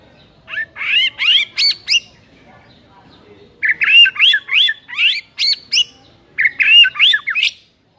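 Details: Murai batu, the white-rumped shama, in a recording used to provoke a reluctant bird into song. Three clusters of rapid, chattering, upslurred whistles come in quick, tightly packed volleys separated by short pauses.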